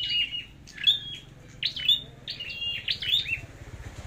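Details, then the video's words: A red-headed flowerpecker sings competitively in thin, high, sharp notes in short twittering phrases, repeating about once a second over a faint low hum. "Chim Sâu Đầu Đỏ Hót Đấu"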